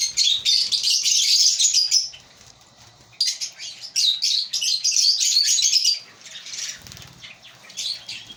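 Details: Colony of breeding African lovebirds giving loud, shrill, rapid chatter in two long bouts of about two and three seconds, with softer chirps toward the end.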